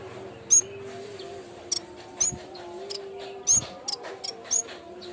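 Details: Yellow-bellied warbler sound for luring and training birds: scattered very high, sharp chips and short ticking clusters at irregular intervals, with a wavering low sustained tone underneath.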